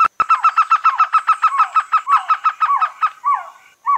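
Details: A trogon makes a loud, regular series of hooked, slightly downslurred notes, about five a second. Toward the end the notes spread apart into a few drawn-out, falling calls.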